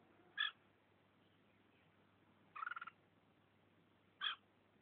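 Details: Red-whiskered bulbul from Vietnam pecking at its owner's thumb utters brief nasal notes near the start and end, with a rapidly pulsed, buzzy chatter in between, against a quiet background hum.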